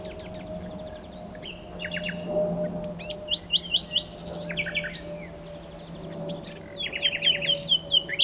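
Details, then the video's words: Singing nightingale delivering a string of changing phrases: quick rattled note series, sharp upswept whistles and a dense chattering finish, with a constant low background hum. "A Nightingale singing - Nightingale - Birdsong"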